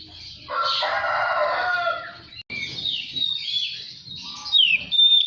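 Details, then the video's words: Oriental magpie-robin song used as a lure to make a kept bird sing and spread its tail: a loud, harsh, buzzy burst of mixed notes, then varied whistled phrases and sharp high chirps. "SUARA PANCINGAN KACER BAHAN. DIJAMIN LANGSUNG GACOR DAN BUKA EKOR"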